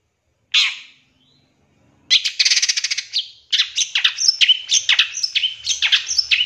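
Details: Long-tailed shrike, master lure song with 'tembakan' fill: one harsh buzzy note, a pause, then a fast rattling burst followed by a quick string of sharp chattering and whistled notes, about four per second.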